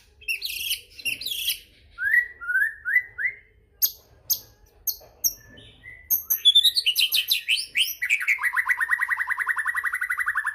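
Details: Varied White-rumped shama song used to stir other shamas into singing: sharp high chips, a series of short rising whistles, then accelerating rhythmic notes ending in a long fast trill.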